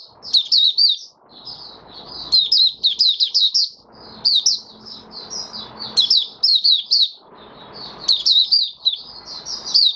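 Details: Oriental white-eye in captivity, singing freely five days after its once-monthly deworming on 20 January 2022; repeated bursts of rapid, high-pitched twittering phrases alternate with softer warbles and patches of low rustling noise.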